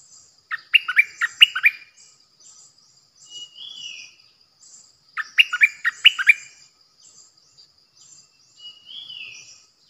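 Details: Bulbul used as a decoy/call bird in Thailand, recorded 8 May 2021, gives short bursts of quick, bubbly whistled notes about every five seconds, each followed by a softer slurred falling whistle; faint high chips behind.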